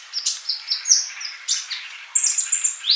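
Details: Sunbird singing vigorously (kolibri): short high whistled notes and sharp chirps, then a shrill, slightly buzzy run of rapid notes near the end.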